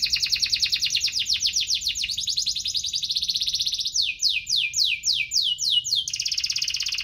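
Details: Energetic canary song meant to stimulate canaries that are slow to sing: a rapid high chattering roll shifting into a smoother buzzy trill, followed by widely spaced, sharply falling sweeps and another steady roll.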